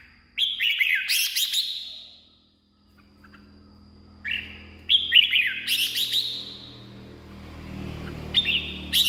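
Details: Red-whiskered bulbul song, used as decoy audio or to rouse caged birds: bright whistled phrases sliding between about two and four thousand cycles, in two bursts separated by a quiet gap, with echoing reverb and low background hum.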